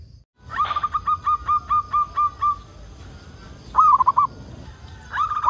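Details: Zebra dove of local stock, singing often and used as a lure for other zebra doves: a chain of around eight clipped, evenly paced coos, then after a gap a warbled three-note phrase, with another starting at the end.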